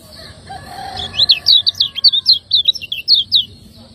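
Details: Caged lemon-bellied white-eye of Lombok in ciak ngejos style, used as a training master. A faint lower tonal note sounds at first, then a brisk string of high, zigzag chirps follows at about four per second.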